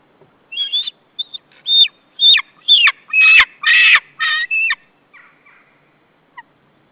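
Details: Alarm against intruders near a white-tailed eagle nesting territory on 15 April 2013: a loud run of about ten sharp, high, harmonic yelps, spaced roughly half a second apart, rising to harsher, fuller notes midway, then trailing off into faint calls.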